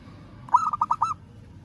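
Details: One brisk phrase of five short, bubbling coos from a local zebra dove calling a rival, evenly spaced and fading quickly into quiet low background noise.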